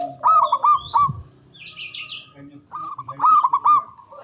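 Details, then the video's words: Local Javanese zebra dove, big-voiced and long-breathed, used as a lure to prompt rivals to answer: two loud phrases of rapid, rolling coos a couple of seconds apart, with a short buzzy chirp from another bird between them. "Pancingan Ampuh Pendongkrak Perkutut Bisu🔇 Malas Bunyi🔊 Bikin Rame"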